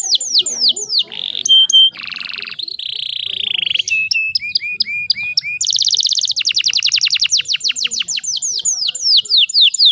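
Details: Female canary in breeding condition used to make males sing: falling whistles, a pure tone, buzzy bursts, a run of short repeated chirps, then a long rapid high trill of sweeping notes.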